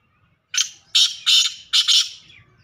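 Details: Male black francolin calling: a loud, harsh, high-pitched phrase of four grating notes, a single note followed by a closely spaced pair and another pair, with quiet background.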